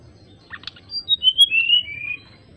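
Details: Greater racket-tailed drongo calling an opponent in lively, flute-like song: a few short buzzy notes followed by a smooth cascade of clear whistles that slide gradually lower, ending softly.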